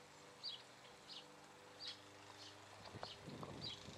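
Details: Virginia rail calling from a drainage creek by an Indiana home: short, harsh, raspy notes repeated roughly every 0.7 seconds, with faint high chirps behind and a low rumbling noise in the last second.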